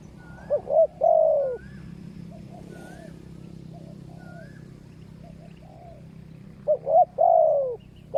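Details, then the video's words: Spotted dove calling in a decoy trapping session with wild birds: a three-note phrase, quick double notes into a long drawn coo, at the start and again near the end, with soft higher whistles from other birds between. "นกป่าดุมาก เสียงดี มีคารม มีเปลี่ยน มีหนุน"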